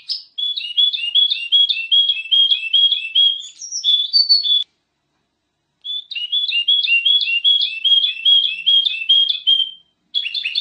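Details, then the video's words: Long, rapid golden-fronted leafbird song: dense runs of quick, repeated twittering notes in two extended phrases, with a brief high whistled flourish in the middle. "Suara Burung Kutilang Emas"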